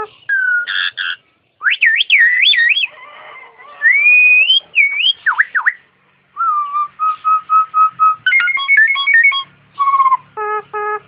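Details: Captive starling singing and imitating an ambulance siren: pure whistled notes that swoop up and down, a run of level repeated whistles, then rapid clicking and stacked buzzy notes in short bursts with brief pauses.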